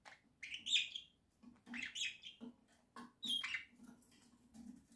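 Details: Indoor pet budgerigars, October 2024, heard at a distance: soft scratchy chirps and warbled phrases in irregular bursts over a low steady room hum.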